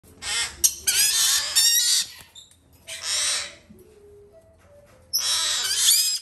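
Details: Hand-fed male White-bellied parrot chick of the green-thighed form, domestically bred, on three feedings a day: three harsh, hissing rasps with quiet gaps between, the last one long and steady.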